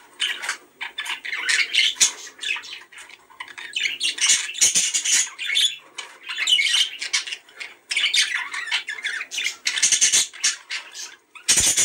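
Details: Budgerigar chatter used to encourage breeding: long stretch of busy scratchy warbling and squawks, dotted with sharp clicks and chirps, swelling and dipping in loudness throughout.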